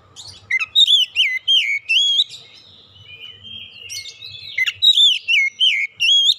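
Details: Lure song of an oriental magpie-robin, played to prompt birds to sing freely: two bursts of quick, looping whistled phrases separated by a softer sustained note, rich and sweet, over a quiet low hum.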